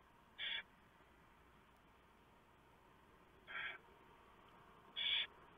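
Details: Pre-dawn feeding at a barn owl nest on 3 November 2015, after the male brings in a huge mouse. Three brief, scratchy hisses come spaced well apart over low background noise.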